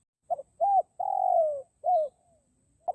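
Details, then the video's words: One phrase of a forest spotted dove lure call: a quick double note, a hooked coo, a long rough coo drifting lower, and an ending coo, followed by a faint start of the next phrase. "PIKAT BURUNG DEKUKUR HUTAN"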